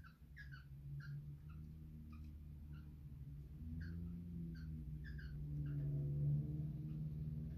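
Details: Female cockatiel wanting to mate: short, bright chirps in irregular clusters, several per second, over a steady low indoor hum.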